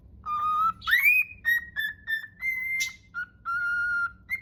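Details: Pet cockatiel whistling the Totoro song with some trouble: a string of clear, pure whistled notes that step up and down in a tune, with one swooping rise near the start and longer held tones toward the end.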